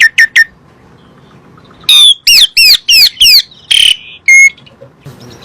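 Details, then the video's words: Asian pied starling song used as a lure for other birds: a few short chirps, a pause, then a loud run of hooked whistles and harsh buzzy notes. "PANCINGAN SUARA BURUNG JALAK SUREN"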